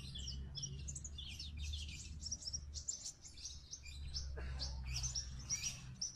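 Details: Several little birds calling to each other: dense high chirps and short twittering notes overlapping throughout, with a steady low rumble in the background.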